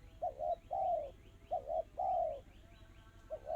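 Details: Spotted dove singing fast, tightly spaced 'kristal' song: low double coo then a drawn-out falling hoot, repeated twice, while another small bird gives a series of thin descending chirps above.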